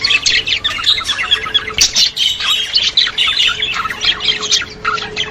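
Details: Budgie song used to stimulate budgerigars: a lively jumble of squawks and twittering chirps rising and falling in bursts and running without a break.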